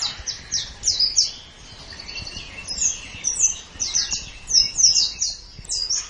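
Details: White-eye singing for a training master recording: bursts of high downslurred chirps and short trills separated by a softer, quieter stretch, then renewed rapid twittering.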